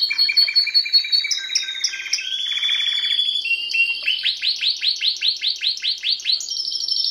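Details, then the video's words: Timbrado canary song for training canaries: mixed high trills and short whistles, then a clear run of about a dozen rapid downward-sweeping chirps at an even pace. "CANARY SINGING BEST VIDEO TO TRAINING CANARIES"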